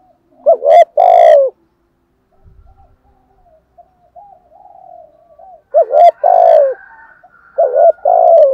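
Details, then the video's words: Spotted dove giving loud thúc gù and gáy gọi coos, each a bending note plus a long vibrating coo. Soft murmured cooing fills the gap between phrases, and sharp clicks or taps sound alongside some phrases. "chim cu gáy bài vở nhất hiện nay( thúc gù, Gáy gọi. bài bản )bổi nghe gáy luân"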